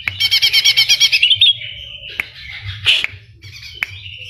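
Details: Lively Greater green leafbird song, full of kapas tembak and cililin imitations; opens with a fast, pulsing trill of bright notes that slides into a sustained thin whistle, punctuated by sharp clicks and a low background hum.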